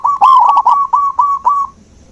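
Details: Single clear phrase from a zebra dove, meant to stimulate a dove that has stopped singing. About seven quick, mellow, cooing notes roll at an even pitch, then fade into quiet.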